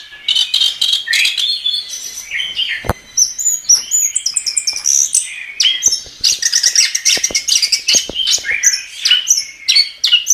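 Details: A chestnut-capped thrush sings at full pace. A dense stream of high chirps, twittered notes and quick whistles runs almost without pause, mixed with sharp clicks.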